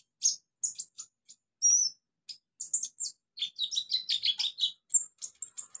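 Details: Wild olive-backed sunbird singing in native habitat, a run of high thin chips building into a fast twittering trill, then a few spaced high notes; quiet background.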